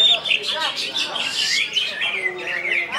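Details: Kept greater green leafbird of the Kalbar (West Kalimantan) type, singing in the gacor style: a rich, unbroken warble of rapid chirps and bright slurred whistles, steady and loud throughout.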